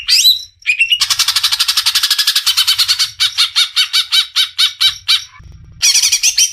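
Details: Greater green leafbird from Indonesia in energetic gacor song: a rising squeal, then a long rapid series of harsh, buzzy repeated notes, slowing into separate pulses, a short pause and another burst.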